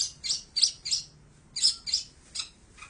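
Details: Long-tailed shrike song from an Android phone: short clusters of very high, sharp chirps in two quick groups separated by a brief pause.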